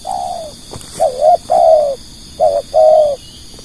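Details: Lure spotted dove for drawing in other doves, producing a run of five clear mid-pitched coos, alternating short wavering notes with longer level ones that slide slightly downward, each about half a second apart.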